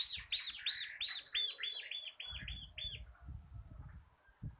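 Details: Local crystal bar-winged prinia singing eagerly in a rapid series, recorded as a tutor for cage birds. About ten bright arched notes pour out quickly, then stop. Low thumping noise follows.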